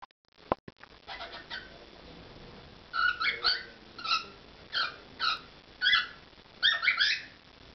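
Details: Pet cockatiel performing indoors: short bursts of harsh, harmonic chirps repeated in quick pairs and clusters, rising and falling, after a sharp click at the start, over a quiet room background.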